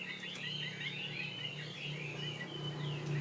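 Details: Fighting-type Chinese hwamei from Northwest Vietnam, kept tame in Saigon, singing faint, continuous warbled whistles behind a strong low hum and background noise.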